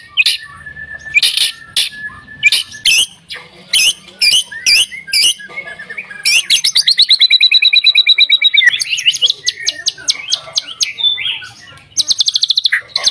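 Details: White-rumped shama song used to provoke other shamas to sing, with varied bursts of rapid repeated notes, high sweeping whistles and a long fast trill of descending notes, broken by short pauses.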